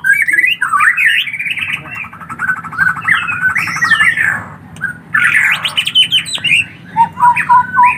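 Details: Young collared kingfishers beg with a nearly continuous stream of chattering, warbled notes. A buzzy stretch sits in the middle, and a burst of squeaky, rising calls comes near the end.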